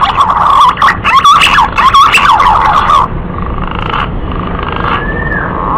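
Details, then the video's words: Green pigeon male calling to a female, recorded as a trapping lure: three seconds of loud, tumbling, warbled whistles, then quieter hissing and a faint falling whistle. "Pancingan suara burung punai Jantan memanggil betina"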